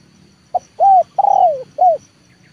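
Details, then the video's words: Leopard-type spotted dove trained as a decoy, cooing to draw wild birds down into the yard: a short opening note, a rounded coo, a long descending vibrating coo and a short final coo, with a steady low hum behind. "TEKUKUR LEOPARD AJARAN RASA PIKAT, BERJUANG UNTUK MENURUNKAN BL KE LAMAN"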